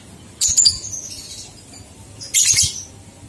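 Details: Lovebird ngekek used to encourage two-month-old young birds to sing: two brief, piercing, twittering bursts about two seconds apart against a quiet hissy background.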